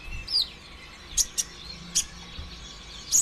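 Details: Brown-throated sunbird lure song for prompting caged sunbirds to sing: a thin downslurred whistle, then widely spaced, sharp, very high chip notes, about four across three seconds.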